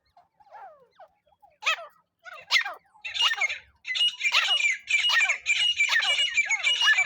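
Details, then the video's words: Francolin used as a lure for net trapping: a few thin, scattered notes build into a sustained run of loud, grating, repeated squawks. "teetar hunting sound"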